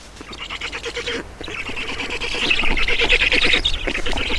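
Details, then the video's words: Estonian black storks being fed at the nest on 7 June 2019 at 16:44; rasping, throaty pulses repeat about three times a second, beginning softer and swelling steadily louder toward the end. "Estonian Black Storks - Feeding"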